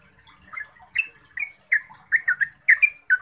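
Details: Yellow-vented bulbul, recorded as a lure for caged birds, starting softly then breaking into bright, bubbling slurred notes that come faster toward the close.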